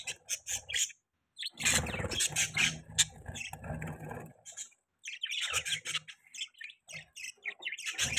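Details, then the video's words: Baby pet budgerigars chirping: bursts of scratchy, buzzy chatter interrupted by short pauses, with a stretch of low rumbling handling noise underneath the middle of the recording. "Budgies chirping sound"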